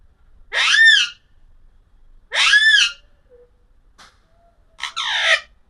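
An Alexandrine parakeet gives three loud, harsh, ringing screeches about two seconds apart, each rising then falling, in a quiet room.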